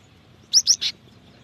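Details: Cinereous tit female calling to a male, used as a lure for wild birds: three rapid, high, slightly buzzy chirps in under half a second over quiet background.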